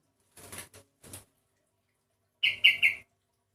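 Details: Sooty-headed bulbul with an unusual voice unlike typical birds of its kind; soft wing flutters and faint notes, then three loud, clipped chirps in quick succession near the end.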